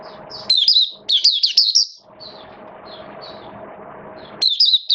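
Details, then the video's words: Oriental white-eye kept caged, singing on a wet rainy day, 8 October 2022: two dense bursts of high, bright twittering warbles, a few soft faint chirps over background hum, then another quick warbled phrase. "Mata Puteh Buka Sing"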